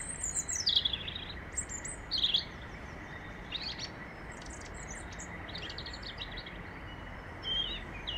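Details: A European robin in London sings short, high, thin warbling phrases, some trickling downward, separated by brief pauses, over a steady background roar of distant traffic.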